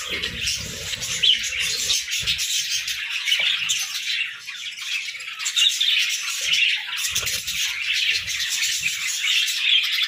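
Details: Morning chorus of many parakeets, a steady wash of overlapping high chirps, squeaks and short squawks that keeps going throughout, with occasional soft low knocks.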